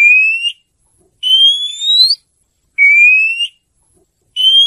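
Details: An Oriental magpie-robin gives long, pure whistles that rise slowly in pitch. Each lasts under a second, and they are repeated with even silent pauses between them.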